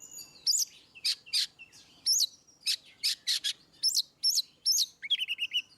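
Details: Oriental magpie-robin in ngeplong style, a tutor song for birds that rarely sing: loud high phrases of sharp clipped notes and upward-hooked whistles, delivered in bursts with short gaps, ending in a quick buzzy trill.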